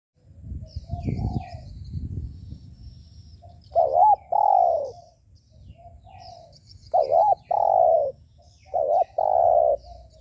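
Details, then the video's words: Spotted dove cooing to provoke other doves: after low rumbling noise, paired coos sound at about four and seven seconds, each a short wavering note followed by a longer, steady hollow coo, then a further pair near nine seconds. "Chim cu gáy gù mở lên kích bổi cực hay"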